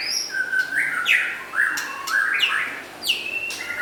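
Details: White-rumped shama, described as local and forest birds, giving a lively song of clear whistled notes that step up and down in pitch, with sliding phrases and a few sharp clicks between them.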